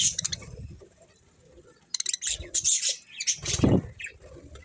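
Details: Bursts of shrill budgie chirping alternate with quieter gaps, mixed with low rumbling knocks and handling noise.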